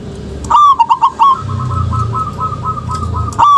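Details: Local zebra dove, a lure recording to prompt lazy or silent doves to call: a loud burst of quick, bubbling coos near the start, then a faint run of repeated soft coos behind low background rumble.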